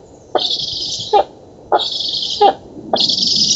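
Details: Black stork nestlings at feeding time in a nest in an oak in Poland, 11 August 2017: loud, harsh, wheezy hissing bursts about three-quarters of a second long, each opening and closing with a click, repeated three times.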